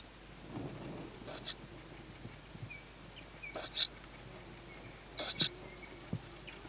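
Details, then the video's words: Young tawny owl calling for food after hearing its mother, around 21:38 on 21 May 2017; three high, rasping squeaks spaced unevenly, with soft rustling and a faint distant whistle between them. "Tawny Owl-Small hears Mom,first food for sib on roof,then feeding"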